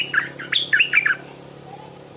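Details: A small Stripe-throated Bulbul kept as a decoy bird, recorded in the morning, gives a quick burst of four or five harsh, bubbling notes over about a second, then quiet room hum.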